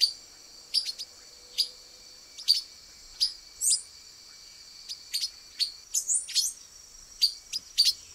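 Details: A male pipira-vermelha, the silver-beaked tanager of Brazil, concealed among branches, repeats bright metallic chips about every half second to second, some quick upslurred notes mixed in, against a continuous insect-like high buzz.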